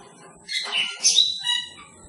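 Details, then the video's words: A brief cucak keling utterance in the wild: a rough squawky burst followed by a sharp rising whistle and a fainter trailing note. "Burung cucak keling di alam liar"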